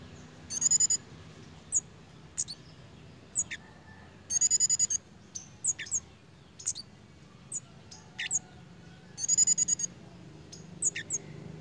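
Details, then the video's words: Pied fantail in breeding condition: three rapid chattering bursts of high chips spaced several seconds apart, with many thin sharp squeaks and short falling notes between them. "BURUNG KEMADE / CIGEN SEDANG BIRAHI,LUCU JUGA TINGKAH DAN BUNYINYA"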